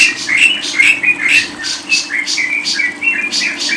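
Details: Lovebird gives quick, repeated squeaky chirps, several per second, mixed with raspy bursts in a steady, excited chatter, taken from a training recording for songbird keepers.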